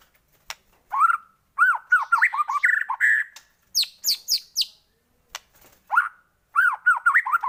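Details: Shama song played as a lure to excite other shamas into full song: rich, varied whistled phrases of looping, bouncing notes, broken by a burst of high thin squeaky notes and short pauses.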